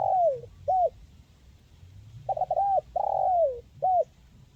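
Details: Spotted dove in a crisp 'mersik' style, played to coax quiet birds into singing. Short coos lead into a long, falling coo, then a short closing note. A fuller phrase follows with stuttered notes, a drawn-out descending coo and a final short coo.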